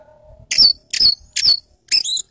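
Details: Caged orange-headed thrush, dazed after being made to exercise, gives four loud, high, squeaky bursts spaced about half a second apart. The notes sound shrill and scratchy over near silence.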